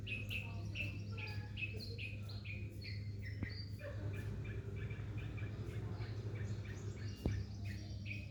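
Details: Bulbul calling: a series of short whistled notes around mid-high pitch, repeated rapidly and somewhat irregularly, with a steady low hum and occasional clicks in the background.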